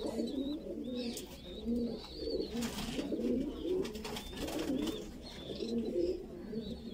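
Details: Feeding of a Voorburg Shield Cropper pigeon chick, a Dutch fancy pigeon breed: pulsing low throaty calls swelling and fading roughly every second, thin whistled chirps of other birds and brief clicks behind.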